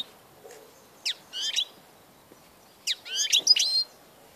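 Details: European goldfinch recorded 16 March 2014, giving two brief bursts of high, tinkling twittering notes separated by a pause, over a soft hiss.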